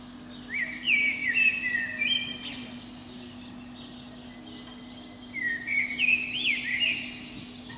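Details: Spring morning song of a Eurasian blackbird perched atop a pine below a window, heard between about five and seven a.m.; two mellow fluted warbling phrases separated by a pause of roughly three seconds, each closing with thin squeaky notes.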